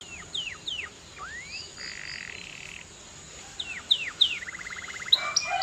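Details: Canary song, fairly soft, mixing quick downward-curving whistled notes with a short flat buzzy trill and a rapid rattling run, ending in bright sharp chips.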